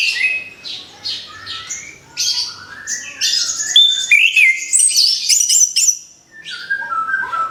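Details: Orange-headed thrush, kept in a cage and just out of moult. Quick high twittering and buzzy notes mix with rising whistles, then drop to softer whistled phrases after a brief lull.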